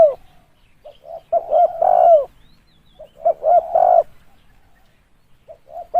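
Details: Spotted dove calling for use as a trapping lure, with short hooting notes building into a fuller drawn-out coo that drops at the end. The phrase comes twice with pauses, and another quiet start closes the recording.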